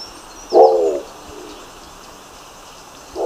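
A Nicobar pigeon gives a single low, harsh grunting coo lasting half a second, with a second one starting at the end; faint thin whistles of other birds sound early on.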